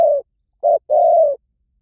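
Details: Spotted dove lure recording: the tail of one coo, then a short clipped note followed by a long, level, hollow coo, clean and close.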